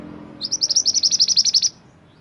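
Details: Mantenan gunung used as master song for training songbirds: a bright, high trill of about fourteen evenly spaced chip notes delivered in just over a second, with faint background hiss.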